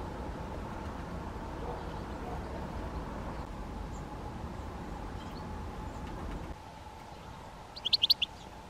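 A Great spotted woodpecker gives a quick burst of sharp, high 'kix' notes near the end, over steady background hum and low rumble.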